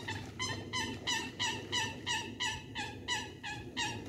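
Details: Eurasian coots fighting, trying to drown each other on the Sankey canal at Fiddlers Ferry; loud harsh nasal calls repeated about every third of a second in a steady run of around ten notes, over low water and background noise.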